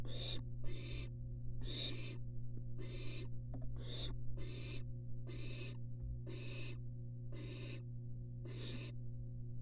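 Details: Three wild barn owl siblings huddle calmly together inside a University of Florida nest box, captured by a live nest cam. Harsh, breathy hisses come about ten times in under ten seconds, roughly every second, over a steady low electrical hum.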